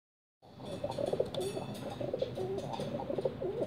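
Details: Pigeon singing: low, throaty cooing phrases repeated again and again, each a soft rolling coo with a slight rise, over a steady background hiss.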